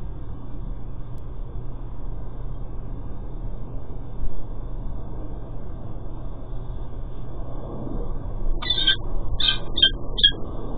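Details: Peregrine falcon male calling as he delivers food at a cathedral nest: a quick burst of four or five harsh, grating call notes near the end, after a long stretch of steady low rumbling background noise.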